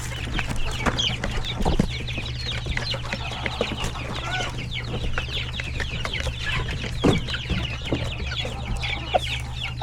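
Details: Feeding time in a coop full of chickens, roosters and chicks: a nonstop chorus of high, falling chick peeps, with lower hen clucks and loud tapping thuds around two and seven seconds, set against a steady deep hum.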